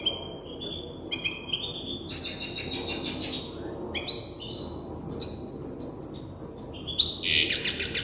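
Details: A juvenile European goldfinch hybrid practising its song produces varied twittering: short whistled phrases, a buzzy rattling passage, then rapid high chirps and a rising trill.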